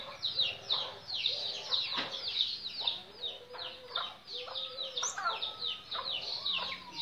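Cinereous tit giving busy, high chattering calls and sharp chirps almost nonstop, with a few thin, level whistles between them.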